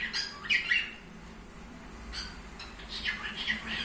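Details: Pet budgerigar squawking indoors in a small room: harsh, scratchy chirps at the start, a quieter stretch, then more rasping squawks near the end.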